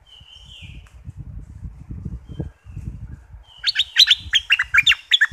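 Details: Southern Thai bulbul played to make birds excited for trapping: low bumping noise and a faint whistle first, then a quick burst of bright, jumbled chirping notes at the end.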